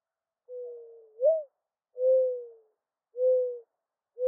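A Mourning Dove gives soft, low, hollow coos, the first with a slight upward lilt, followed by three drawn-out notes about a second apart.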